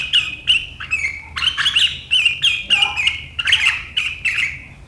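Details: Kutilang, the sooty-headed bulbul, singing sharp riwikan chatter on 7 April 2023: rapid bursts of shrill, twittering notes running together in a near-continuous stream.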